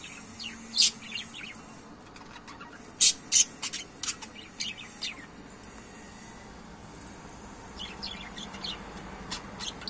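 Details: Pet budgerigars chattering: a loud scratchy chirp, then a busy stretch of fast twittering notes and sharp squeaks, fading into lighter intermittent warbling over a low steady background hum.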